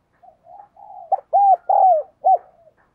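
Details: Spotted dove cooing as a lure to stimulate and excite males: a clean, close series of mellow coos around a low pitch, with soft lead-in notes building to three loud, rounded, arching coos.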